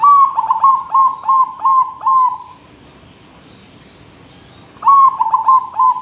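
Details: Zebra dove singing steadily, a master song for training other birds: a run of rapid, even cooing pulses on one pitch, a pause of about two seconds, then the same pulsed phrase resumes.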